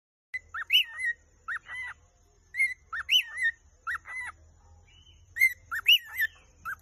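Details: Vogelkop superb bird-of-paradise from the Arfak mountains of West Papua, singing a love song. Clear whistled notes rise then loop down, sometimes doubled, in bouts of two or three notes spaced irregularly, with a faint low hum beneath.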